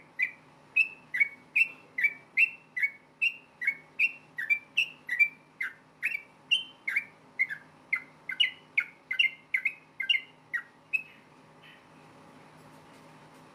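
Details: Rapid fighting song of a yellow-vented bulbul, aimed at getting other bulbuls to reply: a long, steady string of clicky whistled notes at about two per second, stopping abruptly and followed by a quiet stretch.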